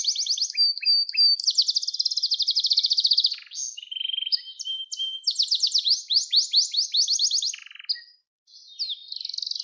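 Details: Singing Gloster canary, recorded to train young canaries and stir them to sing; fast high trills alternate with steady whistled notes and buzzy rolls, phrases changing every couple of seconds, a short gap near the end.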